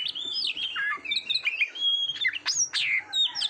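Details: Oriental magpie-robin practice recording for competition birds: a short, fluid stretch of whistled song with sliding notes, a held mid-pitched tone and sharp high upslurs packed tightly together.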